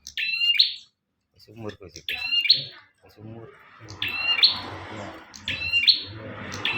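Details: {'caption': 'Prenjak, the bar-winged prinia, in full song for use as a training master: loud two-part chirped phrases repeated about every two seconds, with background hiss and low indistinct voices between them.'}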